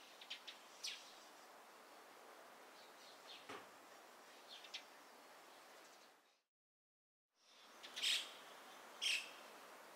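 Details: Dusky thrush calling at Gaikotsu-yama, Japan, in January 2021: faint scattered high notes, then a brief silent gap, then two strong, sharp calls about a second apart against added ambient background.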